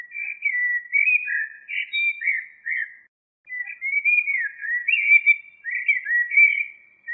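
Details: Common blackbird singing two long runs of soft, slurred fluting notes with a short gap in between, the second run brighter and more varied.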